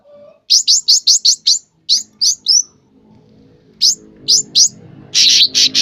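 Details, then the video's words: Sooty-headed bulbul in lively song, giving bursts of fast, sharp, upward-flicked chirps, short pauses between groups, ending in a cluster of loud buzzy notes; soft low background murmur. "burung cucak ranting gacor"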